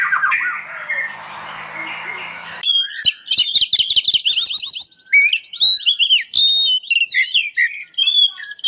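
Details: White-rumped shama, a lively singer used for training other shamas, delivers rapid high whistled and chattering phrases after a softer muffled opening passage.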